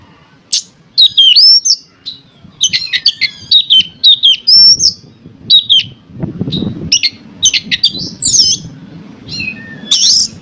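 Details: Oriental magpie-robin singing, used as a lure to provoke other magpie-robins into song: loud varied whistled phrases, rising slurred notes and harsh buzzy bursts in quick irregular sequence, with a faint low hum beneath.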